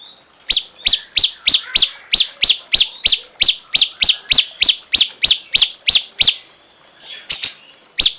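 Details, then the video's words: Cungkok song for songbird tutoring: sharp, clipped high notes repeated steadily about three times per second, each note dropping slightly, with a brief pause near the end. "masteran burung cungkok"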